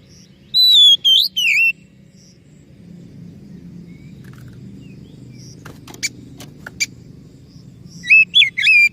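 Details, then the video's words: Oriental magpie-robin singing as a lure for a bird that has stopped singing or is stressed: short whistled slurs, several seconds of near silence with a few clicks, then warbled whistles resume. "SUARA PANCINGAN _burung kacer macet bunyi / stres"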